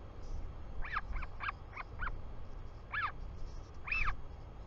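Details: New Zealand royal albatross chick greeting its returning father, afternoon of 24 July 2020: scattered short squeaky calls, a group of five then two louder drawn-out whines, with wind in the background.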